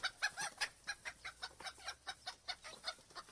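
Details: Steady chicken clucking, roughly three notes per second, harsh and bright, set against constant background hiss and a low hum.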